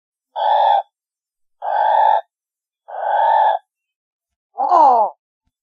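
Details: Pelican calls: three buzzy, even, mid-pitched moaning notes about 1.3 seconds apart, then a shorter wavering note that slides downward, with silence between calls.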